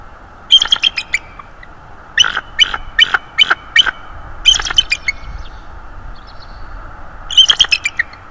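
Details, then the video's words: Subadult bald eagle, about three to four years old, visiting a nest and perching in the branches above on 19 December 2022. It gives short bursts of sharp, high chittering notes, four or five quick pips per burst, with pauses between the series. "Bald Eagles: The beautiful sub adult with haunting vocals"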